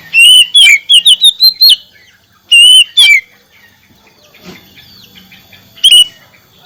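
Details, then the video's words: Oriental magpie-robin, kacer, delivering rapid bursts of bright whistled and chirping notes, a quick series early on, then two short phrases after a pause, a soft rustle and one final burst. "kacer macet bunyi , hitungan detik kembali gacor terus menerus"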